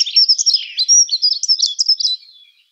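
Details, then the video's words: A Dunnock delivers one brisk, continuous warbling phrase of high, thin, tumbling notes lasting about two seconds, with no other sounds. "Как поет Завирушка лесная Prunella modularis"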